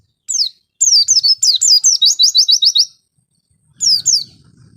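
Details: Oriental white-eye (pleci), singing gacor, an isian song: a brief high note, then a fast run of about a dozen sharp, high, downslurred whistled notes over two seconds, and a short two-note phrase after a pause.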